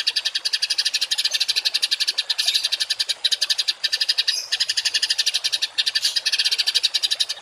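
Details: Songbird tutor recording of harsh 'tembakan kasar' shots, used to train home and contest cage birds to copy rough notes; dense buzzy rattling pulses, rapid and harsh, running almost continuously with brief breaks.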